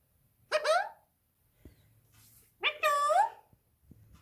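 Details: Talking pet parrot in a small room, two rich, harmonic, speech-like phrases with swooping tones, the second longer and louder, separated by a quiet gap with faint clicks and a low hum.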